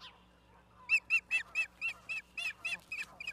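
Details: Osprey in Charlo, Montana, on 11 September 2023 around 16:04, giving a steady string of about eleven clipped, piercing whistled chirps at roughly three to four per second, loud at first then slightly softer, over quiet background chatter.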